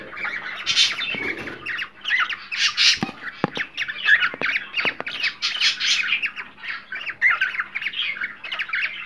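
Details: Cockatiels, in a recording offered as a sound to stimulate cockatiels to mate, chatter in a dense run of harsh, raspy squawks and short chirps, overlapping almost continuously, with a few sharp clicks and a faint background hum.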